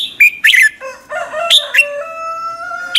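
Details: Red-whiskered bulbul morning song, trained to sing strongly and used as a lure to stir other birds; bright whistled notes with sharp upslurs and downslurs, then long steady tones, in short phrases.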